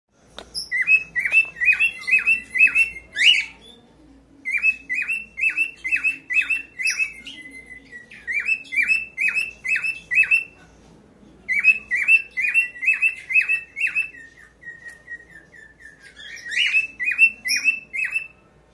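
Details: A pied cockatiel's mating call: bursts of bright, rapid chirps, with a thin whistled glide between some of the bursts.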